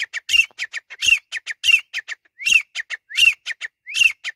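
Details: Grey francolin, known locally as teetar, in a loud ringing call series: rising whistled upslurs each followed by several short sharp notes, the phrase repeated roughly every seventy hundredths of a second, with no other sounds.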